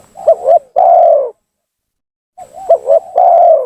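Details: Lure call of a spotted dove, played to anger rivals and force them to descend: two full phrases, each wavering soft notes, two sharp accented coos and a long, loud, downward-sliding final coo, separated by a second of silence.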